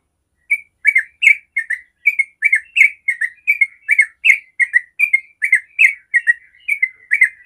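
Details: Yellow-vented bulbul singing in the long 'ropel' style, used as a lure to get other bulbuls singing: quick bubbly chirped phrases repeated steadily, about two notes per second, with no other sounds.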